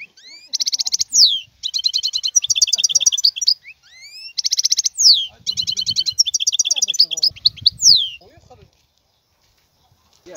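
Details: European goldfinch in the wild giving rich rapid song, buzzy trills alternating with tinkling twitters, repeated in two long bursts; faint low background noise, and quiet after about nine seconds.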